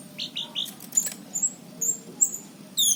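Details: Short stretch of orange-headed thrush song, Cirebon, 2019: three quick upslurred whistles, a brief rattle, then thin very high whistled notes and a final shrill burst.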